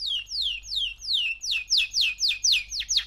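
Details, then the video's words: Young male canary of three months singing clear descending whistled slurs, about three per second, growing louder toward the end. "Kanarya Sesi 3 Aylık Erkek Canary"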